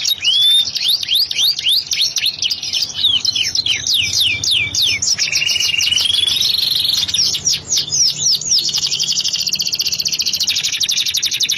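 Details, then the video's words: Singing canary in the lavish long-running cengkok mewah style. It delivers an unbroken, high-pitched song of quick repeated swooping chips, then a smooth rising whistle, then dense rolling trills. A constant low hum lies underneath. "Kenari Gacor Cengkok Mewah Durasi Panjang"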